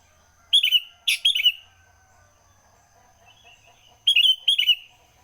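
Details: Early-morning sooty-headed bulbul gives short chortling bursts of two or three rich, liquid notes, pausing a few seconds between phrases; quiet background otherwise.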